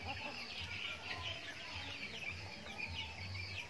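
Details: Backyard farm chickens at feeding time, a flock giving dense overlapping high peeping chirps, many short downslurred notes at once, over a steady low hum.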